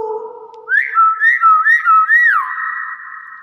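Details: A clever hill myna gives four quick arched whistles in a row, each rising then dipping, before settling into a steady held tone over a faint, constant background hum.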